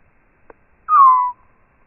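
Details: House sparrow call, recorded on a Philips Voice Tracer and slowed down eight times to match 240 fps slow-motion footage: a single loud, drawn-out whistled note gliding gently downward for about half a second, preceded by a faint click.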